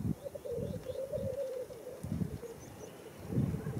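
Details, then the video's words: Black grouse at a lek at World's End, Wales, in April 2017, producing a continuous low rolling, bubbling murmur that pulses steadily, with low rumbling wind or handling noise beneath. "Black Grouse at World's End, April 2017"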